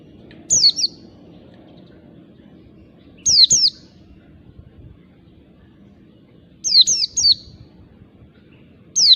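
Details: Wild oriental white-eye singing in the forest, used as a lure call to draw other white-eyes: sharp, high whistled notes sliding steeply downward, given in short bursts of two or three, repeated every few seconds over a low background rumble.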